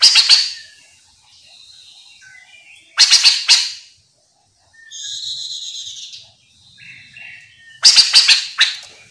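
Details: Chestnut-capped laughingthrush in full voice, used as a lure so other birds call back; three rasping stuttered bursts about three to five seconds apart, with a nasal buzzy harmonic phrase and soft chirps between them.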